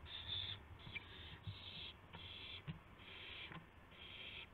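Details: Owls at dawn, March 26 2016, with a gopher and a mouse delivered as prey. Several drawn-out raspy hisses with brief gaps, plus soft knocks and scuffs in the background.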